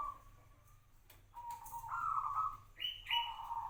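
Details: Zebra dove, a local bird kept for five years: soft cooing notes near one pitch, a steady tone then a rising burst and a higher note, in short repeated phrases, with a faint low hum throughout.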